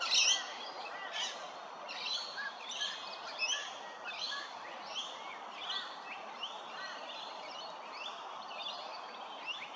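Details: Magpie-lark calling during nest building at Hervey Bay, Queensland, Australia; a loud bright note opens, followed by a string of short chirped notes at an uneven pace over steady background noise.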